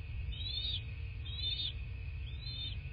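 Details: Bald eagle at its nest in a quiet southwest Florida landscape, picked up by a nest camera on 14 March 2024 at 09:20: three thin, arched whistled notes, roughly one per second, over a steady low hum.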